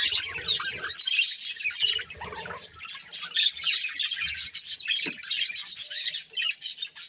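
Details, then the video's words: Colourful budgies from a breeding pair chirping and warbling: dense high twittering with rapid squeaky notes, a short lull near two seconds, then lively chatter resumes. "Cute Colourful Budgies Chirping Sounds | Love Birds Breeding Pair | Budgies Singing"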